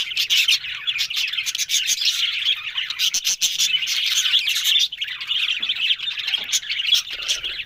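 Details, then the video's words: A group of budgerigars talking on October 1, heard as an unbroken stream of bright, scratchy warbles and chirps, loud throughout with small dips around five seconds. "Beautiful Budgerigars Talking"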